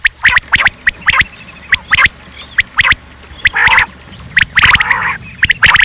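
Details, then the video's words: A quail gives sharp, metallic notes in quick pairs and short bursts, a little over one per second, with a few rougher, harsher phrases mixed in. "Batair sound"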